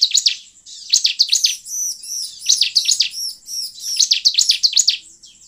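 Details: Bar-winged prinia song used as a lure for wild birds: fast bursts of sharp, high chirps and downward-slurred notes, broken by arched whistled phrases, with phrases repeating in quick succession.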